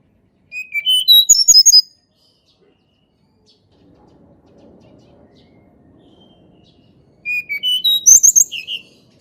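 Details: Natural Sunda Robin song meant to coax quiet birds into singing: two quick phrases of sweet whistles sliding upward into high rapid trills, with a soft low rumble in the gap between.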